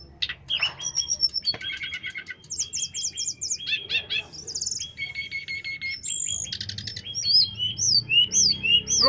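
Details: Striated grassbird in a long, rich song of varied phrases: chattering rattles, buzzy trills, pure whistled notes and repeated slurred rising-falling whistles, delivered rapidly without pause.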